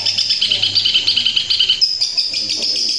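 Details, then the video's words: A Long-tailed shrike in full song, in 'tembakan kuntilanak' style, pours out a dense, high, rapid-fire chatter of sharp notes, about three a second, over a steady high ringing tone and a low hum. "Cendet tembakan kuntilanak gacor gaya mewah"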